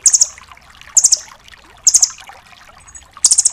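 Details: Velvet-fronted nuthatch, locally rambatan doraemon, in fast tembakan style recorded as a tutor track for songbirds: four high, dry, clipped trills of four to five quick notes, spaced about a second apart, over faint background hiss.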